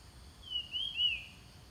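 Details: Ground thrush song played to attract wild birds. One brief whistled phrase of two or three slurred notes, rising then falling, with faint low rumble below.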